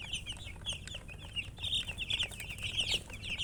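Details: Baby chicken chicks chirping together: dense, overlapping high peeps, each a quick downward-sliding note, pouring out almost without pause over a steady low hum.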